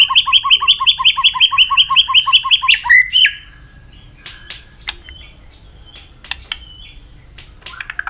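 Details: Training song of a white-rumped shama meant to make it sing many voices quickly. A fast series of about twenty identical clipped two-part notes runs for three seconds, then sparse sharp chips and whistles follow over low background hum.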